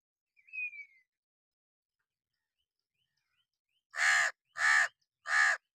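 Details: A single thin, slightly falling whistled note, a long pause, then three rough, loud caws from a hooded crow sitting on wood during summer rain.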